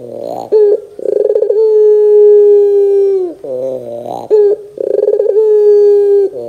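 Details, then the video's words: ['Repeated Barbary dove phrases for luring young doves to respond: each opens with a rising rolled stutter and stretches into a long, steady coo, the pattern heard twice.'] "PANCINGAN PUTER GACOR DOR TERMEWAH 2024, WAJIB COBA, PUTER BAHAN MUDA PASTI NYAUT !!!"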